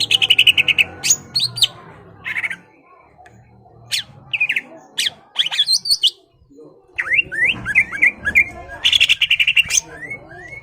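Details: Caged greater green leafbird singing in full voice to provoke a rival into fighting, with loud mixed notes: rapid buzzy trills, sharp chirps and a run of rising slurred whistles, broken by short pauses and faint low hum.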